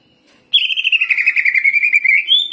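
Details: Greater green leafbird giving a ngeroll, a continuous rolling trill lasting about two seconds after a brief silence, pulsing rapidly and ending on a slightly higher note; part of an energetic song carrying ciblek mimicry.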